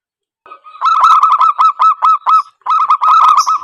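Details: Zebra dove lure call for trapping: loud, rapid runs of nasal hooked notes, several each second, split by a short pause after two and a half seconds.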